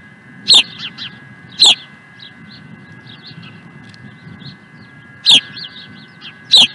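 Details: Loud shrill chirps from an osprey at Dunrovin Ranch on 16 April 2020, two early and two late in the passage, with a scatter of softer high chittering notes between them.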